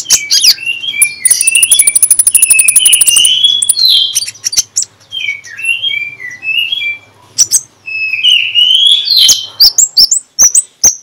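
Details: Loud open-voiced Oriental magpie-robin (konin) song at morning, played to lure sluggish birds into display. Fluty slurred whistles mix with a fast rattling trill and high ringing notes, and sharp clicks are scattered throughout.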